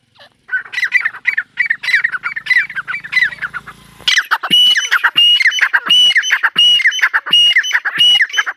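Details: Lower, chattering calls with a faint hum give way to loud, rapid partridge calls of a female teetar, harsh bursts with high whistled tones repeating steadily.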